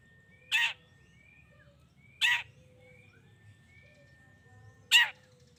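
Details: Long-tailed shrike provocation calls: three hoarse, grating squawks at irregular intervals of about two seconds. Faint sliding whistles and a steady thin tone run in the background.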